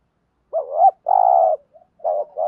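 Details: Spotted dove cooing in the 'gù thúc' style that urges other doves to call: a wavering rising coo, a long steady burry coo, a faint short note, then two further mid-pitched coos.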